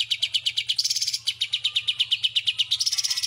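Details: Greater green leafbird singing with an Oriental white-eye's song in its repertoire. A rapid, steady run of sharp, high chirped notes, roughly seven or eight per second, briefly speeding up into denser trills.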